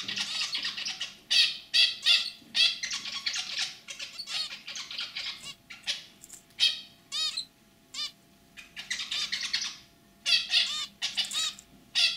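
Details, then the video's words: Captive zebra finches, a lively male giving his throaty song and a white female with simple chirping notes: dense bursts of nasal, buzzy, harmonic chattering, rapid and irregular, broken by short pauses, with faint low hum behind. "Hint Bülbülü Sesi,ötüşü |Zebra Finch Sound"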